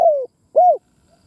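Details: Decoy spotted dove cooing, close and clear: a sustained coo easing downward, a brief pause, then one short arched coo.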